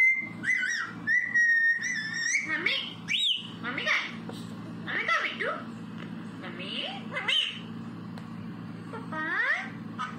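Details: Pet parrot called mithu vocalising indoors, mixing steady whistled notes, sliding squeaks and rapid upward glides in irregular bursts over several seconds, with soft human speech and background music.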